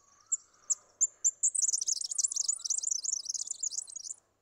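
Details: A Red-backed fairywren (Malurus melanocephalus) in Australia: four or five thin high notes, then a fast, shimmering reel of very high trills lasting about three seconds, with a faint lower whistle beneath.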